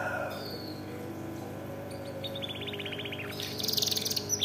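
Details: A domestic canary tutored with blackthroat song sings fast rattling trills and high chirps, with a rapid burst of repeated notes near the end over a steady low hum. Finding: Belgian canary.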